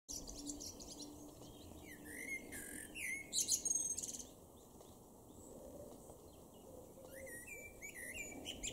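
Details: Male common blackbird singing in a garden in Weener, East Frisia, far northwestern Germany, in May: two phrases of low fluted, warbling notes, each ending in a burst of high squeaky twitters, separated by a pause of about three seconds, over faint background hum.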